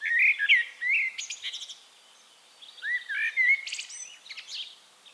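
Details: Two blackbird phrases recorded in Castricum, the Netherlands: low, fluting warbles each closing with thin, high twittering, separated by a short quiet gap.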